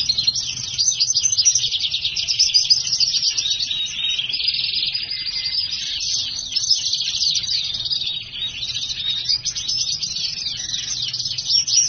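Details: Hybrid black-hooded siskin x house finch singing in a long, steady outpouring of high, rapid twittering warbles and trills, with little pause and dense chattering phrases throughout.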